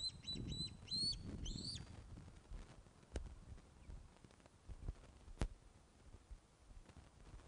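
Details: Nest webcam at Loch of the Lowes, 21 August 2012, 16:35, fish brought to the ospreys: a short run of four or five piping whistled notes opens, then sporadic knocks and clicks in a rumbling background.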